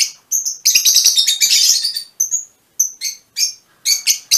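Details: Fischer's lovebirds in mutation colours chattering indoors, a long shrill buzzy run followed by separate sharp high chirps repeated roughly every half second.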